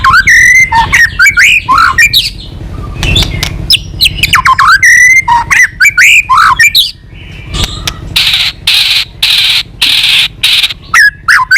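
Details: White-rumped shama, tame and singing vigorously with many variants, suited for use as a lure: varied whistles and squawky slurred notes in rapid bursts, ending in a string of harsh, broad rasping notes with short pauses between them.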